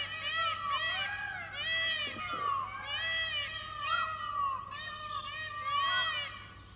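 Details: A male Indian peafowl, displaying its feathers and calling after females just after the rains in the monsoon mating season in Gurugram, Haryana, gives loud, nasal, arching cries in quick bursts about every second and a half, with people murmuring nearby.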